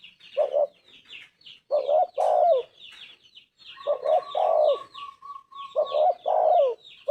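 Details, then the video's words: Cooing of a Spotted Dove (tekukur) in vigorous 'gacor' form: repeated low hollow double and triple coos, while a steady thin whistle from another bird and scattered high chirps fill the gaps. "Tekukur gacor suara emas"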